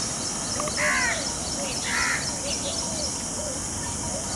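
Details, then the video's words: Peacocks flaunting their feathers before a female outdoors. Two rough, braying bursts about a second apart stand out over busy chirping from small birds and a constant high insect hiss. "Peacock Sounds"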